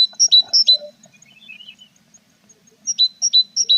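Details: Tits at an April nest box with chicks growing feathers; two quick bursts of sharp high double chirps, separated by a quiet stretch of faint twittering.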